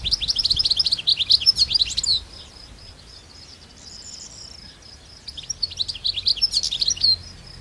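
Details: Wild European goldfinches singing in nature: two bursts of rapid, bright, high twittering with jingling notes, separated by a quieter gap with a faint thin high tone.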